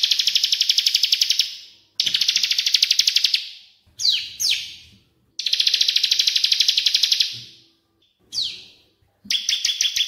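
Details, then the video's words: Cililin and ciblek (Bar-winged Prinia) master recording for training caged songbirds: long bursts of rapid, high, buzzy chirping trills broken by short gaps and a few sharp descending whistles. "CILILIN VS CIBLEK AK47"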